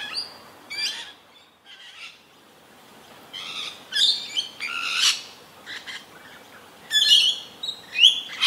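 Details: Unharassed Rainbow Lorikeet feeding acrobatically in Australia, calling constantly: irregular bursts of grating screeches mixed with short, sharp chirps and squeaks, with brief quiet gaps between.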